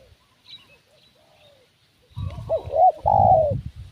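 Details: Spotted dove decoy call used to lure wild doves: after a quiet start, one loud cooing phrase with a bent, wavering opening note and a drawn-out mellow coo, over low rumbling thumps.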